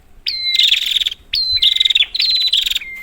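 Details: Prinia calls played as a lure for a bird that has stopped singing: three quick bursts of dry, buzzy chatter, each led by a sharp whistled note and ending in a thin whistle.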